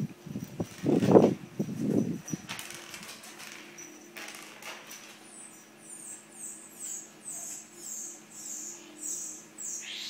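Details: Rufous-collared sparrow, a furious father bird reacting to a nearby person playing with a battery, gives high, thin, down-slurred alarm chips about every second, after a few low thumps and rustling at the start.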